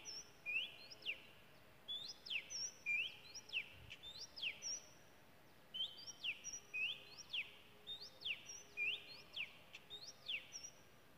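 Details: A wild Oriental magpie-robin in Malaysia sings clear, high whistled phrases, each a steady note that swoops down then rises, repeated roughly every second over faint background hiss.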